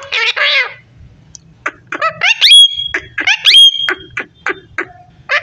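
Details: Pet parrot talking: a high, harmonic speech-like phrase, then short chattering syllables broken by sharp whistled notes that rise and hold steady, each separated by brief pauses.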